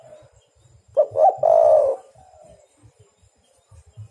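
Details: Single phrase from a spotted dove (derkuku/tekukur) used to lure birds: two short rising notes run into a long, steady mellow coo lasting about half a second, with quiet low thumping noise around it.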